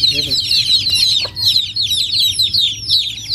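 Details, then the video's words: In Noldang village, many chicks peep at once in a dense, high, shrill chorus of quick overlapping cheeps, with a brief lower cluck from an adult hen at the start. "Chicken baby sounds"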